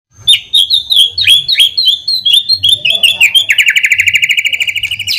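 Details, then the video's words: White-rumped shama in full song, used as a lure to make other birds answer: loud, high downslurred whistled notes repeated rapidly, then a fast, even trill of short notes building toward the end. "PANCINGAN MURAI BATU GACOR CEPAT RESPON LANGSUNG BUNYI"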